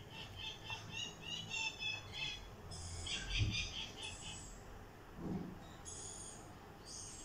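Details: Rainbow lorikeet (red lory) chicks give harsh, raspy, chattering calls in quick overlapping bursts, some higher and squeakier, over a low background rumble.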